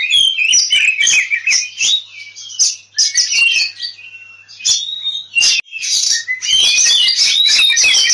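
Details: Oriental magpie-robin in fighting song, used to lure other birds into singing: loud, dense stream of varied whistles, chattering trills and harsh buzzy notes, high-pitched and continuous with brief pauses, many bursts overlapping.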